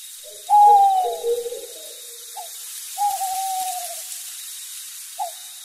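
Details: Owl hooting, a sound heard at night: a few hollow, drawn-out notes, some sliding slightly downward, with short pauses between, over faint background hiss.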